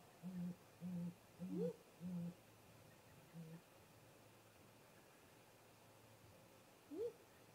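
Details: Nest-camera recording of a visiting great grey owl pair, 13 April 2018, 18:58 MDT, still daylight. Five evenly spaced deep hoots, a rising upslurred call, a pause, then one more hoot and a final rising whoop.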